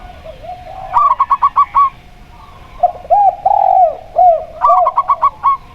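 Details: Zebra dove of the local perkutut type, with a clear 'plong' voice, against a spotted dove. Two runs of about six crisp, evenly spaced notes frame a stretch of lower, drawn-out cooing.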